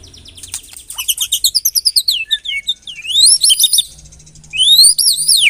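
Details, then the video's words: White-rumped shama lure song for getting caged birds to sing: a rapid stuttering trill of descending notes, then loud sweeping whistles that rise and fall. "LANGSUNG CEPAT NYAMBER TAK TAHAN DIAM MURAI MENDENGAR PANCINGAN INI"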